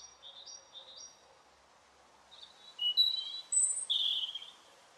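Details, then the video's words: Robin singing high, thin, twittering phrases that start faint and grow louder, with a soft hum of background noise. "Robin singing"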